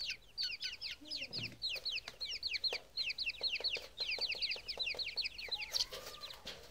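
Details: A chorus of grey francolin chicks: piercing little descending peeps in fast runs, with scattered taps and a faint low squeak.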